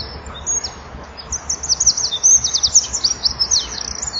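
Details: Eurasian wren singing at dusk in winter, 17:33, fluttering its wings while perched by a nest-box camera: a long, fast, high run of rattling trills and sharp notes, steady and loud throughout against a quiet background.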